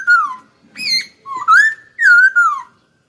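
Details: Pet hwamei in full voice, giving five loud whistled notes in quick succession, the middle ones rising and the last pair wavering and then sliding down, against a silent background.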